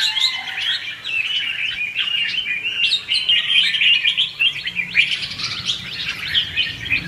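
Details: Lure recording of red-whiskered bulbul in "ché" and "xòe" fighting song, used to provoke birds into singing: seven seconds of rapid, tumbling whistled notes, dense and unbroken.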